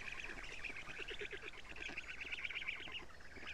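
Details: At a live-camera black stork nest in Estonia, June 14, 2017, 07:47, nestlings are fed lampreys by the female. Steady stream of quick, buzzy, stuttering notes with a fainter low-pitched pulsing underneath early on.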